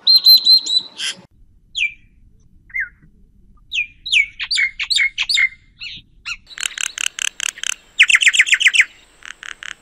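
A common myna runs through a varied medley of whistles, gurgles and harsh chatters, ending in rapid bursts of rattling notes; no other sounds stand out.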